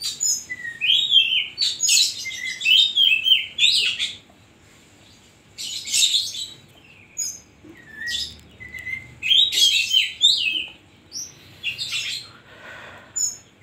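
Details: Oriental magpie-robin (kacer) in full 'isian koslet' song: rapid bursts of high, harsh chattering mixed with clear whistled slurs, delivered in phrases of about two seconds separated by short pauses, with a faint background hum.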